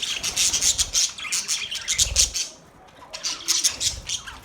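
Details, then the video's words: Pet budgerigar giving quick bursts of high, scratchy chirps for about two and a half seconds, then a short near-silent pause before the chatter resumes, with soft rubbing or fluttering noises alongside. "My beautiful Australian Parrot Bird Chirping sound"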